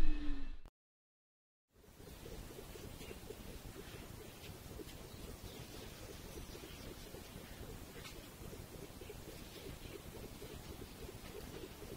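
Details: A brief low tone and a moment of silence give way to a steady, low rumbling background noise with faint rustling, and no clear animal calls.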